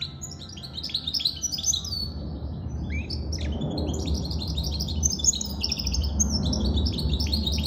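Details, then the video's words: Goldfinch mule, a goldfinch and canary hybrid, singing a fast, busy twittering song of high chirps and trills, with brief pauses, over a steady low hum. "Goldfinch mule sirwitty bird"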